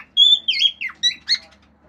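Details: Singing male cockatiel kept as a pet, performing natural calls, wolf whistles and clicks. A long flat clear whistle slides into a warbling drop, then two brief whistles and a harsher squawky note follow.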